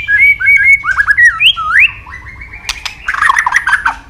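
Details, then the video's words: Long training song of a white-rumped shama: clear whistled notes slide up and down, then a sharp click and a dense burst of rapid chattering notes. "Luyện Nhiều giọng dài cho chòe lửa cực chất. chòe lửa kéo dây đảo nhiều giọng rừng. tạch đập đuôi"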